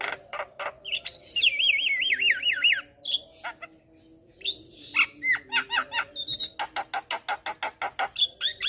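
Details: Varied Javan myna song meant to train and provoke other mynas: long wavering whistles rising and falling, a pause, then scattered whistled notes and a rapid train of dry clicks.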